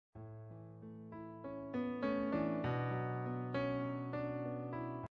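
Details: Electric piano plays a slow rising run of sustained chords and notes, with no animal sounds.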